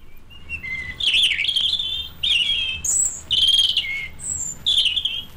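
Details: A European robin singing in the canopy of British broad-leaved woodland in winter (January): thin, wistful phrases of high whistles and fine trills, each phrase shifting pitch and separated by brief pauses, against a quiet background.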